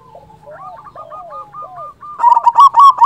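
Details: Local zebra dove with a loud voice, used as a lure for trapping and to stir other doves into calling. Soft rolling coos from several birds first, then a loud, rapid bubbling coo phrase near the end.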